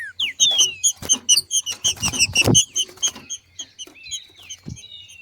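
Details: Female rufous-bellied thrush, trinca-ferro, giving the macheando calls that stimulate other thrushes to sing: rapid repeated high bright notes, about four per second, with a few slurred whistles and background clicks.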